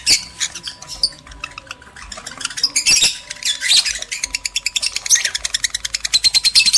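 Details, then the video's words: Lovebirds, male and female, heard for breeding stimulation; scattered high chirps build into a fast, evenly pulsed run of sharp notes toward the end. "PANCINGAN JEBOL BIRAHI BUNYI, BIKIN EMOSI LOVEBIRD JANTAN DAN BETINA"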